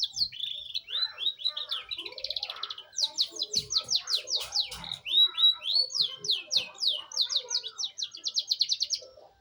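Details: Young loper canary starting its rolling song: loud, rapid, high trills of repeated sweeping notes running in long rolls, several per second, with softer lower twitters beneath.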